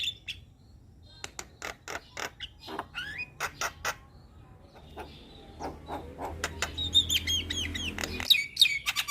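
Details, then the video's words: Young Javan myna giving scattered dry clicks and short squeaks, building to a dense patch of twisting high whistles near the end, with a low hum underneath. "Masteran Burung Jalak Muda - Jalak Kebo gacor Banyak Isian"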